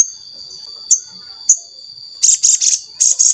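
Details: Crimson sunbird (sogon) lure sound for prompting other sogon to sing: two isolated high chips, then a run of rapid buzzy high notes in quick bursts.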